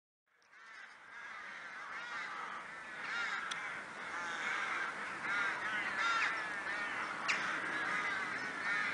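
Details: Crows in Kraaienbos woodland near Vaals, many birds calling together in a continuous harsh cawing chorus with overlapping rasping calls, growing louder over the stretch.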